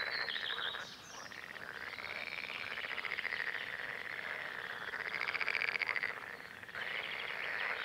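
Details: Red-necked grebe, part of a spring breeding couple seen mating, hunting Northern crested newts and feeding hungry striped chicks; long, harsh, wavering pulsed calls run almost continuously, broken by brief pauses near one second and just before seven seconds.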